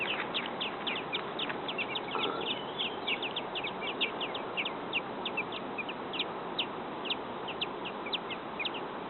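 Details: Robin nestlings a few days old in a backyard nest begging while waiting for food: a rapid stream of short, high, thin chirps repeating unevenly throughout, over a steady background hiss.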